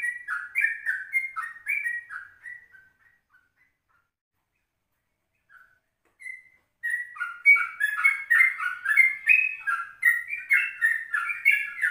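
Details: Yellow-vented bulbul (trucukan) in a morning recording at 04:30, meant as a lure for other birds: rapid bubbly whistled phrases, a quiet gap, then a dense run of chattering liquid notes, roughly three per second.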